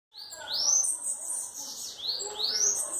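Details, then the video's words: Bananaquit singing face-on, likely a kept bird; high thin rising whistled sweeps and buzzy trills. "Sibite cantando de cara"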